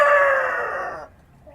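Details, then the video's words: A rooster crows at dawn in the countryside: one hoarse, harmonic note held about a second, sliding gently downward and fading, followed by quiet. "Rooster Crowing at Dawn"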